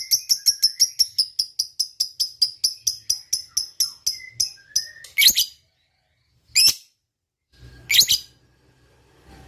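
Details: Lovebird in fighting mood: a run of clipped chatter notes slowing and fading over five seconds, followed by three separate loud harsh shrieks with pauses between.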